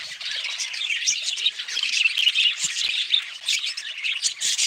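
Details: Chattering budgerigars producing a steady stream of high, scratchy warbles and short chirps, many birds overlapping into an unbroken, busy wash of sound.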